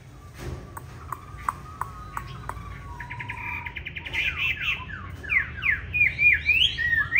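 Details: Fighting song of a green-bean-eyed Chinese hwamei, used to coach other hwamei to sing smoothly: begins with sparse soft piping notes and a rapid trill, then builds into loud swooping whistled slurs that rise and fall.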